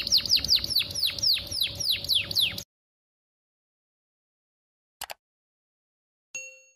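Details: Canary singing, meant to coax young canaries into song: rapid repeated downslurred whistled notes for about two and a half seconds, then silence broken by two brief clicks and a short ringing tone.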